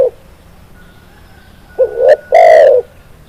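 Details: Spotted dove song from a tutor recording meant to get doves singing quickly: low, soft cooing, a short note, then a longer coo, and finally a drawn-out, rich, mellow coo lasting about half a second. Faint background hiss and a thin steady tone.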